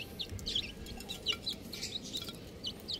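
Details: Little chicken chicks chirping: thin, high peeps, each a short downward slur, coming in quick irregular bursts of a few notes over a steady low background hum.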